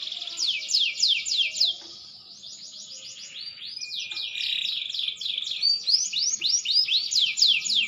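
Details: Green canary whose song improves with age, pouring out bright rising whistled sweeps in quick rolls, pausing briefly, then resuming with varied rapid trills.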